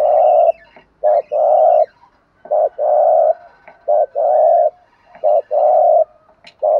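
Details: Male and female spotted dove cooing for stimulating a trained bird: regular two-part phrases, a quick coo then a sustained low note, repeated about five times with faint higher sounds behind.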